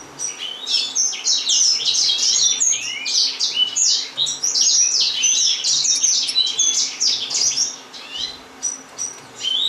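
A busy chorus of thin, high chirps and short squeaky notes from Gouldian finches, overlapping almost continuously, over a faint low indoor hum.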